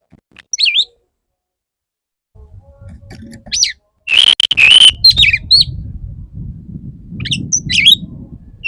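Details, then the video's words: Male Oriental magpie-robin wooing an agitated female: loud whistled notes and slurred phrases around sharp upward sweeps, broken by a harsh rasping burst, with low rumbling background noise through the second half. "Pancingan burung kacer jantan perayu burung kacer betina gelis"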